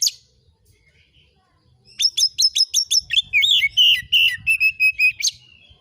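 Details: Oriental magpie-robin lure song, 'nembak isian' style, meant to draw answers. After a near-silent pause, a fast series of repeated high notes turns into sliding whistles and ends with a sharp note.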